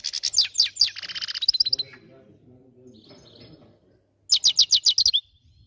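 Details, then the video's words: Goldfinch singing a rapid, high twittering series that blurs into a buzzy run, then a low murmuring background and a final burst of quick, sharp chirps. "Best song goldfinch"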